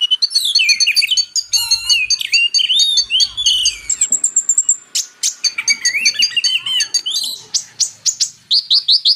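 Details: Purple-throated sunbird tutoring song: dense, very high chattering with layered warbles, a thin buzzy trill, then rhythmic sharp chips and a short run of quick whistled notes at the end.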